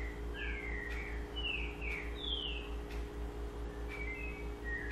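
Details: Double-collared seedeater delivering sabiá-style song, a run of clear whistled notes falling in pitch, some doubled, at roughly two per second, with a steady background hum.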